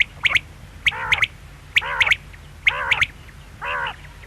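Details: Quail giving clipped three-note phrases, one quick note then a doubled one, with soft nasal, wavering notes mixed between them and a final nasal note alone; repeated roughly once a second.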